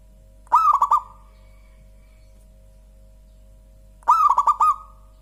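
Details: Zebra dove of local perkutut stock repeating its song twice: a mellow rolling coo of four or five quick beats, then a lingering tail note, separated by about three seconds of near silence and faint hum.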